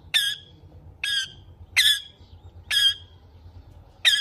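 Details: Pet rose-ringed parakeet giving loud harsh squawks, five short raspy calls spaced roughly one second apart, each dropping slightly at the end, over quiet low hum.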